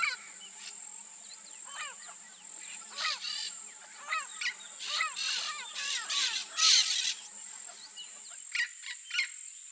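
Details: Wild Yellow-faced Parrots (Alipiopsitta xanthops) in Brazil's Cerrado biome give a busy stream of short, arched squawks, several birds overlapping in quick succession, over a steady high insect drone.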